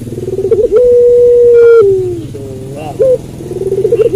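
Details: Barbary dove (puter pelung) cooing at night: a quick throbbing roll, then one long, flat, drawn-out coo that sags at the end, followed by short bubbling notes and another rolling phrase.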